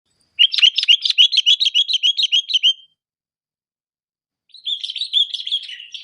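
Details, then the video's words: Sooty-headed bulbul, called kutilang, labelled cengkram: a quick run of bright chirping notes for about two and a half seconds, then silence, then a second, softer burst of busy twittering notes. "burung Kutilang Cengkram"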